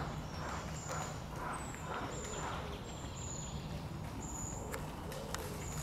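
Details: Short-toed treecreeper (Certhia brachydactyla) chicks waiting to be fed give very high, thin, drawn-out begging notes every second or so, over steady low rumbling and soft rhythmic thumps.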